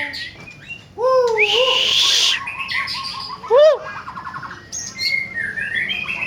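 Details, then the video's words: Black-tailed Nias white-rumped shama singing: loud looping whistled notes, a buzzy harsh burst, then falling and rising clear whistles and short high phrases. "Nias/ekor hitam harian gacor"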